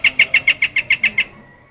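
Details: Short white-eye lure phrase: nine clear, high chirps spaced evenly over about one second, followed by fading background noise.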